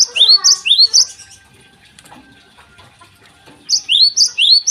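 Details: Morning song of a Java sparrow, loud rising high chips delivered in quick clusters of four or five, separated by a quiet gap of about two seconds.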